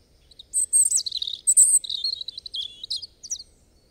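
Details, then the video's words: European robin delivering a complex song phrase of high, sparkling whistles, quick trills and descending slurred notes for about three seconds, clear against a quiet background. "Robin Bird Song"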